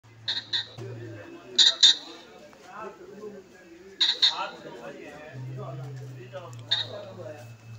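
Ring-necked pheasant giving harsh, loud double-noted calls, three bursts roughly every two and a half seconds, with a person talking softly and a low hum between them.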